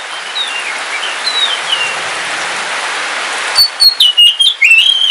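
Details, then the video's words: Caged oriental magpie-robin, Kalimantan dark form, in rain: steady hiss with faint distant whistles for several seconds, then a burst of loud, sharp whistled notes and upward-sweeping phrases near the end. "Suara Kicauan Ketika Hujan - KACER WULUNG KALIMANTAN"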